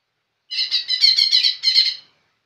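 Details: Young lesser green leafbird singing energetically: a dense burst of buzzy, chattering notes lasting about a second and a half, delivered in quick pulses between short gaps, with no other sounds heard.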